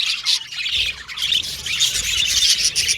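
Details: Budgerigars chirping in a short burst of loud, high, scratchy warbles and squeaky notes from several birds at once.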